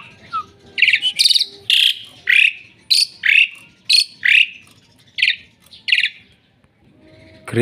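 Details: Asian pied starling, a very noisy bird that calls at dawn, giving loud, harsh, chattering phrases mixed with squeaky whistles, about one burst per second; faint background murmur.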